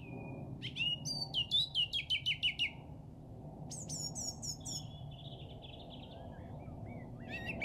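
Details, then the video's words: Birdsong recorded at a local golf course in England on Easter Saturday 2007: a run of about eight bright, descending whistled notes, then high sharp trills and a thinner warbling phrase, over a steady low rumble. "Bird Song From Jolly Old England"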